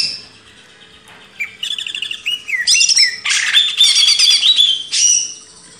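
Greater green leafbird in rich, fast song: bright whistles, sliding notes and chattering trills, high-pitched and varied, after a second of quiet.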